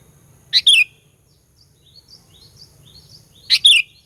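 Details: Sooty-headed bulbul lure recording for provoking rivals: two strong two-part chirps three seconds apart, each a sharp note and a descending slur, with soft high twittering from other birds between them.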